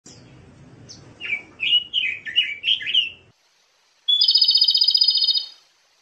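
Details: A robin sings in the wild: about six quick, slurred warbling phrases, then a pause before a fast, high, buzzy trill lasting over a second.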